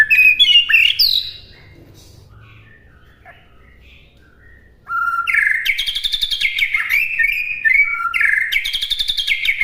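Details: White-rumped shama master song: a short run of high sliding whistles, a near-silent gap of about four seconds, then fast, repeated chattering phrases with bright whistled notes.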